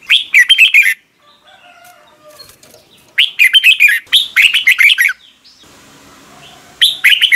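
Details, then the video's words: A red-whiskered bulbul sings in the morning for training other birds, delivering brisk bursts of warbled, sliding notes between quieter stretches with faint background twitters and a soft hiss. "Luyện chào mào hót sáng"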